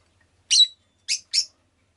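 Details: Rosy-faced lovebird kept as a pet uttering three shrill chirps, the first longer and slightly whistled, the next two short and close together.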